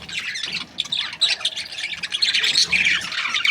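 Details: Australian budgerigars kept in breeding pairs, a crowded stream of quick chirps, squeaky whistles and gritty warbles overlapping throughout.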